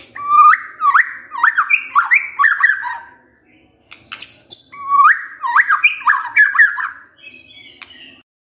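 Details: White-rumped shama singing as a lure to draw out other birds' repertoire: two bursts of rapid, rich warbled notes with quick up-and-down slurs, separated by a short pause and a high whistled note.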